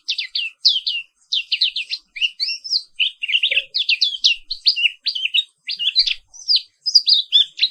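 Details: Rolling morning song from a black-capped white-eye: sharp high chirps and zigzag whistled notes delivered in quick bursts, one after another, with very short pauses and a clean background.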